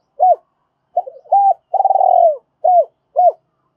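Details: Decoy spotted dove calling in double voice to draw other doves: a full phrase of short arched coos, a long rippling note sliding downward, then two more short coos.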